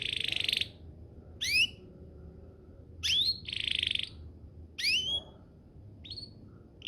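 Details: Canary song used as a lure to prompt other canaries to respond: short separated phrases, a buzzy high burst, then rising sweeping whistles, repeated with pauses over a low background hum.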